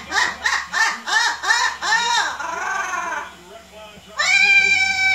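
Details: Pet parrot laughing after hearing a recording of another parrot laugh: a run of rapid, throaty 'ha-ha' bursts, about three per second, fading into a drawn-out chuckle, then a bright, sustained whistle-like squeal.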